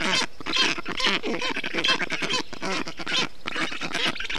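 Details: Calls of black stork storklets in a hot nest in Estonia, June 2021, while the male wets the nest; rough, quacking, nasal notes delivered in quick succession, slightly over two per second, with fairly steady loudness.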